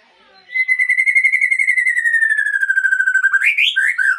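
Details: Breeding-stock Aceh white-rumped shama delivers a sustained buzzy trill lasting about three seconds that slides gently downward, then ends in a few bright, upward-flicking whistles.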